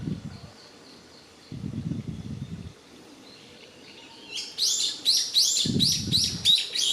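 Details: Japanese paradise flycatcher at Yotsuike Park in Hamamatsu: after a quiet start, a rapid series of bright, slurred chirping notes is repeated about three times a second, with bursts of low rumbling noise in between.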